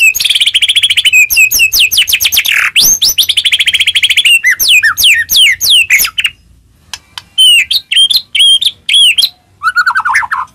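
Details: White-rumped shama song used to make other shamas sing: a long, fast rattling series of sweeping notes, followed by sparser sharp high notes and a brief low warble.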